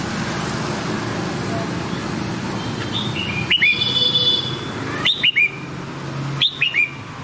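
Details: Red-whiskered bulbul singing in the Nam Đông style, a training song for white-cheeked birds: three short, bright whistled phrases, each a quick rising-and-falling warble, arriving about every one and a half seconds over a steady low rumble.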